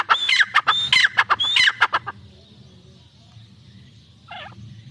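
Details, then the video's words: Calling pair of Iranian francolins (teetar): two seconds of harsh, grating, quickly repeated notes with high whistled overtones, followed by quieter background hum and a brief faint sound. "Teetar ki awaaz | irani teetar paire ki awaz"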